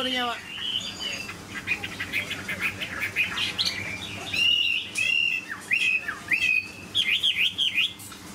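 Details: Captive Chinese hwamei, a big bird prized for its singing, beginning with a brief falling note, then a chattering warble building into loud zigzag whistled phrases in short bursts.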